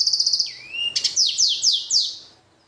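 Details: Hybrid finch bred from a blackthroat and a canary, singing from an aviary: a fast rattling burst, a long rising whistle, then a series of five descending slurred notes about a third of a second apart, fading away.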